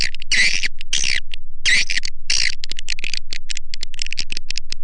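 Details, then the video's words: Swiftlet lure call: long screechy twitter bursts alternating with quick clicks, ending in a run of short sharp chirps. "SUARA PANGGIL WALET"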